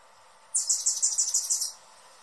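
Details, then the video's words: Hummingbird chatter: a quick run of about nine sharp, very high, buzzy notes lasting just over a second, over a low steady background hum. "Hummingbird sounds in 2021 | Calls and Song"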